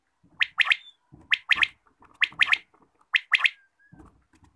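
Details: Morning call of a quail: rapid, sharp whistled notes in clusters of three, repeated four times at roughly one-second intervals, with faint low handling noise.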